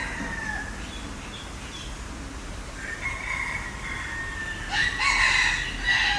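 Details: A green peafowl is captured by a Sony A7IV camera. A faint call opens the clip, followed by a clearer drawn-out call near three seconds and a louder, harsher burst from about five seconds onward, over constant low rumble.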